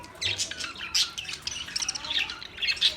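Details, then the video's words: Short run of harsh squawks and high chirps from Australian parrots, coming in quick loud bursts. "Beautiful Australian parrot video Bird Chirping sounds"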